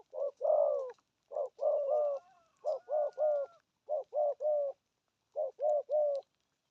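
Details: Spotted dove giving 'gù thúc' coos in the 'thổ âm' style: mellow coos run in tight groups of two or three, a longer opening coo, then several rhythmic triplets with brief gaps between them.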